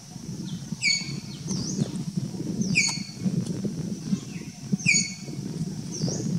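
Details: Streak-throated woodpecker (Picus xanthopygaeus) call at Kaziranga, Assam: sharp, metallic single 'pik' notes about every two seconds, with a few softer chirps over a steady low rumble.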